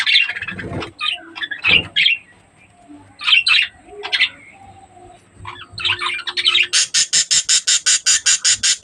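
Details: Budgerigars kept for breeding: a few short chirpy calls, then a fast run of harsh, raspy pulses repeated about three times a second, with faint background hum.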